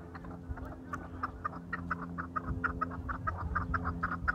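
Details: Farmed chukar partridge giving rapid clucking chuck notes, about two per second, in an irregular run that grows louder toward the end, over a steady low mechanical hum.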